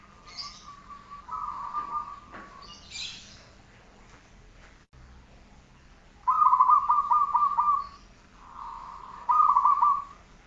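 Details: Zebra dove (perkutut) training song: a blurred early phrase, then after a pause two clear bursts of rapid stuttering coos, a smooth purring note between them, with low background hiss.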